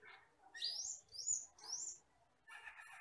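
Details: Asian glossy starling from the forest, black with red eyes, gives three loud rising high whistles about half a second apart, followed by a short buzzy chatter.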